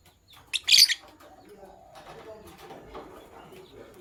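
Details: Sky blue opaline and green opaline lovebirds at morning time. One loud, harsh high squawk comes early, then a muddle of quieter low chattering and warbling notes follows.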